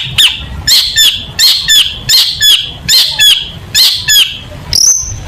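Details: Long-tailed shrike, a chatty singer in a tutoring recording: a sharp, bright two-part phrase of downslurred whistles, repeated roughly every 0.7 seconds, ending with a higher drawn-out note. Background is fairly clean.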